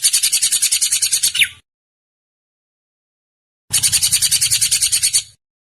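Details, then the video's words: Drongo giving harsh, rapid rattling bursts of about a second and a half, pulsing fast and ending with a downward slurred note, separated by a long silence. "kicau burung srigunting"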